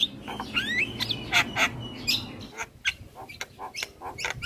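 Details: Javan myna, a champion bird singing hard in a master recording for teaching other birds: sliding whistled notes, then scratchy chatter and clipped harsh calls, with low background hum at first.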